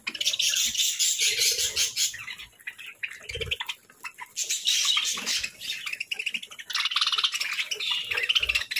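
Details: Pet parakeets during their morning breakfast of fruits, seeds and grains: dense, rapid high chirps and chatter in overlapping bursts, with brief pauses and soft low thumps between.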